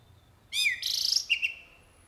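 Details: Short phrase from a jalak uret starling: a descending whistled note slides into a dense harsh buzzy rasp, followed by two brief clear whistles, in quiet surroundings.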